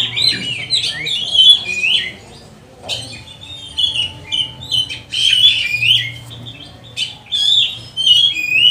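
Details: Oriental magpie-robin singing in lively bursts, played to train and provoke other magpie-robins; clustered whistled and scratchy phrases with short silent gaps between loud bouts, over a faint hum.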